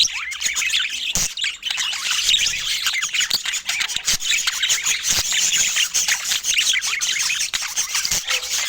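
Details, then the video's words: Feeding budgerigars keep up steady busy chatter, many overlapping squeaky chirps and warbles with occasional sharp clicks and louder squawks throughout. "Budgie Nutrition Basics with Sweet Sounds and Feeding Joy"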